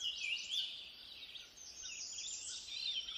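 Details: A Canada warbler (Cardellina canadensis) sings a rapid, high-pitched jumble of chattering, warbled notes almost without pause, over a steady background hiss.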